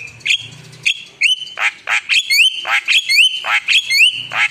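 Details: Javan myna singing in active gacor style full of isian fillers: harsh squawks alternating with bright whistled notes that bend upward, delivered in a rapid, uneven string of bursts.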